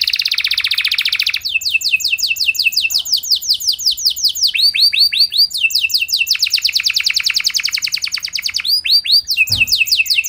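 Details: Sharp, lively canary singing intended to set off responses from other canaries: a quick buzzy trill gives way to long rapid series of repeated downward-sweeping notes, changing tempo and pitch between tours, with one brief low knock.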